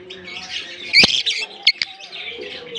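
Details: African lovebirds in a colony: dense, high twittering chatter with sharp squawks near one and 1.7 seconds over a steady background of many birds.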